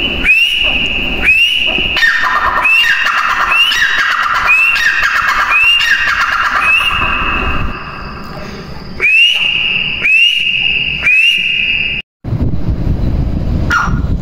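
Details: Female grey francolin repeating upslurred whistled notes, each held briefly, in a regular chain of about a dozen calls with a short pause, over low background noise.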